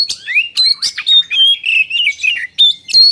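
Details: White-rumped shama in full song, meant to trigger singing in other birds: quick sequences of bright whistled notes, upward slurs and harsh clicks, varied and nearly unbroken.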